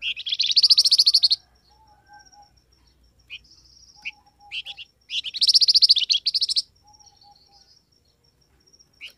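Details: Calls of a flamboyan bird used to draw wild birds into answering: two long, loud, buzzy pulsed trills, over a second each, separated by short chirps and faint soft whistles.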